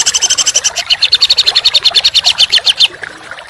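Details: Songbird song used to train contest birds, in the 'tembakan rapat jalur kasar' (dense, coarse shots) style: rapid harsh high notes, shifting slightly lower partway through, delivered as one rattling burst of almost three seconds.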